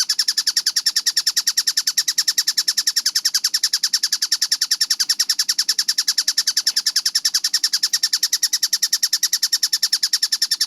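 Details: Tengkek buto, a kingfisher, recorded clearly at fast tempo: a long unbroken chatter of harsh, high, clipped notes, roughly eight each second, very regular in rhythm from start to finish, over a quiet low murmur.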